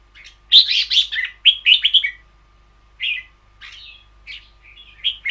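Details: Long double-phrase song of a caged red-whiskered bulbul in ber yao style: a loud run of bubbling, liquid whistles, then softer, drawn-out slurred notes, with a faint constant tone behind.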